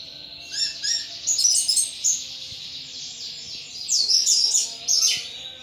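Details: Captive thrush in loud ngeplong singing, delivering bursts of bright, jumbled high twitters and trills in several phrases with short pauses between them; a soft electrical hum runs underneath.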